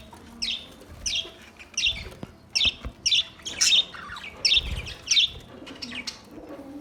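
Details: A budgerigar repeating clear, sharp chirps at a steady pace, roughly two per second, each a short slurred note, with faint chatter trailing at the end.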